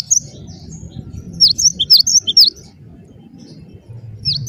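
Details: Gelatik batu, wingko type, whose song serves as a lure for other birds; a brief burst of high, sharply slurred whistled notes in quick pairs, with faint low rumble behind.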